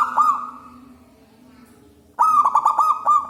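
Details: Wild local zebra dove, loud and in full voice, used as a lure for trapping doves: one cooing note, a pause, then a fast staccato series of bubbling, fluttering coos, with a faint background hum.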